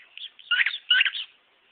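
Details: Pet male cockatiel demonstrating his repertoire with two quick squeaky warbled phrases, each a cluster of chirps, followed by softer trailing chatter.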